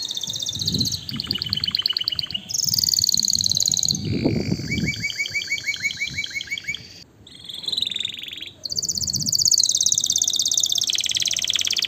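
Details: Canary song, used to excite females for mating and to tutor young birds: long rapid high trills in changing tours, buzzy rattling rolls, and clear repeated chips shifting between pitch levels every few seconds, with brief low thumps beneath.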